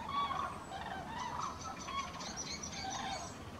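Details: Common cranes migrating overhead above Halle, Westphalia, Germany, on 5 March 2018: several loud, rolling trumpeting calls overlapping in quick succession, with rich harmonics and a few thinner, higher notes above them.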